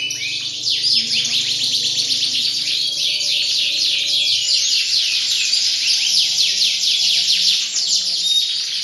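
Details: Canary in full song: a continuous, dense flow of high rolling trills and quick twittering phrases without pause, steady in loudness throughout, with a faint low hum in the background.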